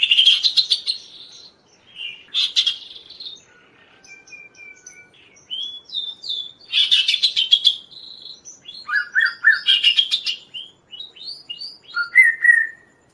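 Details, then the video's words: Actively singing kaso-kaso, recorded for training and luring other birds: bursts of harsh buzzy trills alternate with thin high whistles and rapid chattering notes, about fourteen seconds of varied, busy phrases separated by short pauses. "suara Burung Kaso-Kaso gacor"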